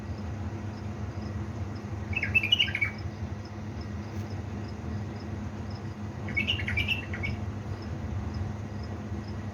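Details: Caged bulbul from Diyala in Iraq, recorded at 3 am in Balad Ruz, repeats a short tumbling phrase of clear whistled notes twice, roughly four seconds apart. A steady low hum fills the background.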